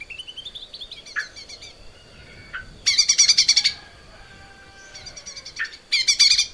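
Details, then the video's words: Lesser green leafbird song made for training caged birds: a soft rising series of quick notes, short lower slurred calls, then two loud bursts of rapid, scratchy, high chatter. "kicau cucak ijo mini gacor buat masteran"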